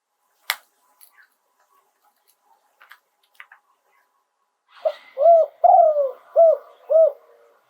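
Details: Spotted dove singing live in the song style called "โยน 2 กุก". After soft scattered clicks, one low cooing phrase of five notes arrives near the end: a short lead note, two swelling coos, then two short arched coos.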